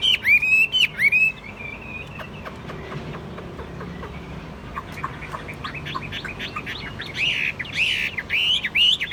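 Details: Chinese hwamei kept in a cage, calm and mostly tamed, gives rich looping whistles and rapid warbled phrases, loud at the opening, softer scattered notes mid-way, then a strong rolling burst near the end.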